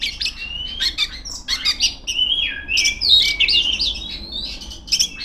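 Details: Female Oriental magpie-robin singing loudly to call rivals: a fast, varied stream of clear whistles, sliding notes and sharp chips, high-pitched and nearly continuous with brief gaps.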